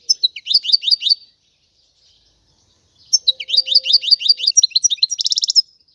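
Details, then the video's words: European goldfinch singing in two bursts: quick series of sliding, twittering notes, then a longer phrase ending in a fast buzzy trill, with a silent pause between. "تغريد الحسون"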